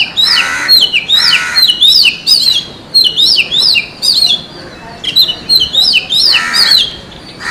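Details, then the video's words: Oriental magpie-robin singing in the forest, a steady stream of loud, varied whistled and warbled notes, some falling and buzzy, with hardly a pause. "suara burung kacer di hutan"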